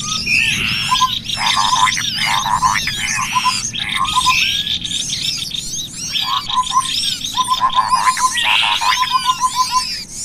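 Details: Cucak kopi bird lure call mixed with small birds, used for trapping: dense chorus of sharp chirps and whistles with repeated rapid trilled bursts in short phrases, many birds calling at once.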